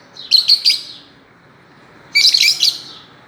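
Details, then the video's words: Fischer's lovebirds playing on a swing give two bursts of shrill, high chattering: three quick chirps, then a busier squeaky cluster about two seconds later. "Parrots playing and chirping"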